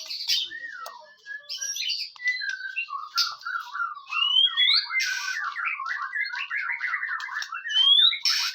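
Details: White-rumped shama song to provoke other shamas into singing: varied whistles and clicks, then a long rapid series of repeated chattering notes, with upslurred high whistles near the end.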